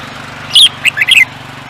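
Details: Songbird bred for singing races, giving a burst of high bright chirps followed by a quick run of warbled notes, over a low steady hum.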